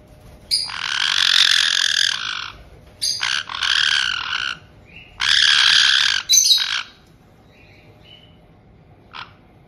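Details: White-bellied caiques kept in a multi-bird home in Hokkaido's Tokachi region, the established pair welcoming a new chick just over two months old, June 2023; long harsh raspy squawking bursts in four bouts, then quiet with a few faint notes.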